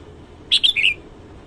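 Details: A red-whiskered bulbul sings at dawn, one rapid phrase of four liquid whistled notes stepping downward then lifting at the end, about half a second long.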